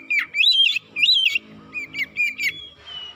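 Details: Oriental magpie-robin lure song to provoke birds: loud curling whistled phrases, then a row of short slurred notes, ending in a thin drawn-out tone over soft background noise.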